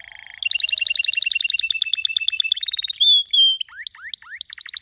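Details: A canary sings a fast ringing trill of evenly spaced notes, slides into a pure sustained whistle, then breaks into quick rising upswept chirps.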